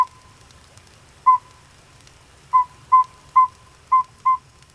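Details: Northern Saw-whet Owl, recorded in the wild, gives short, clear, whistled toots on one steady pitch, six in under four seconds, roughly every half second after an opening note; it can repeat this call hundreds of times.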